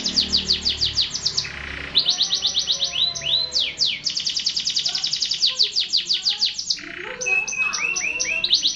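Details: Canary pouring out continuous song, rapid trills of sharply dropping notes broken by brief pauses, with a low warbled passage and rising whistles partway through.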